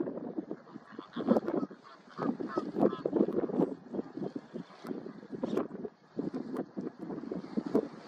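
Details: A dense chorus of Mediterranean gulls gives nasal, mewing 'yeah-ow' calls, overlapping without pause from many birds, with light wind in the background.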